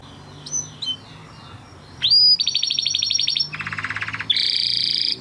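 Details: Crested Spanish Timbrado canary, 2020-bred flock bird, training song: two soft short notes, then a loud whistle opening into fast metallic trills at alternating pitches, with faint background hum.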